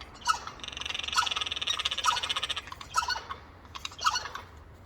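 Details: Four Eurasian jays in a noisy chorus on a windowsill, making strange noises: harsh, buzzy rasping bursts that repeat roughly once a second, each a rapid pulsed screech, with brief pauses between them.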